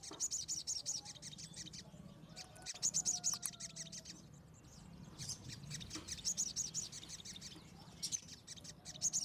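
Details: Wild minivet singing in the open: bursts of high, thin chirping notes repeated in clusters about every three seconds, over constant rustling background noise.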